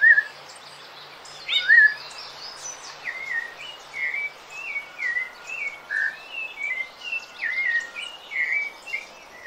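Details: Rufous-bellied thrush (sabiá-laranjeira) song, offered for training cage birds: a steady series of clear whistled phrases, each short, slurred and melodious, following one another about every half second, with a faint hiss behind.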